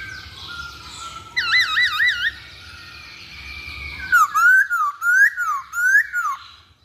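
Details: Masked laughingthrush on a lure track: faint steady whistles open, then a burst of rapid warbling loops, a quiet gap, and four loud rising-and-dipping whistled notes repeated about every half second.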